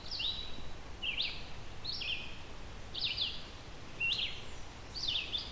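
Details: A Red-eyed Vireo in the Halton Regional Forest, southern Ontario, sings short, slurred, robin-like phrases, some rising and some falling, about once a second with brief pauses, over low rumbling background noise; it sings all day.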